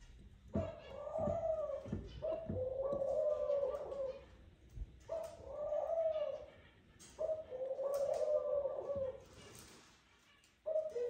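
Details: Courting pair of Eurasian collared doves at the nest, the male calling the female in: five long, even coos spaced roughly every two seconds, with faint background clatter.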